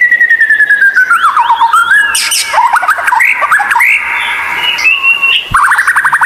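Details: White-rumped shama with an unusual, very lively song, used as a tutor recording for reluctant captive singers: loud, varied whistles sliding down and up, twisting phrases and chattering notes, ending in a quick run of high whistled notes.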